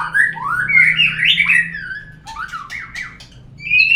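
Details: White-rumped shama singing a lure song for prompting murai birds: fast, warbling whistled phrases that rise and fall, a brief quieter gap with clicks, then a loud high whistle to finish.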